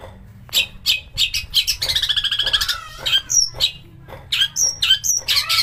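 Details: Long-tailed shrike song played to spur a bird into full song: harsh chattering bursts, a fast ringing rattle, then scattered high whistled notes and scratchy calls, loud and continuous.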